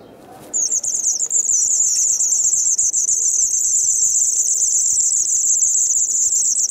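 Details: White wagtail nestlings two days before fledging, filmed 3 June 2019 in Kumiyama, Kyoto, Japan, with parents feeding: a continuous high, thin, rapid squeaking chorus running almost unbroken for six seconds, faint low background hum.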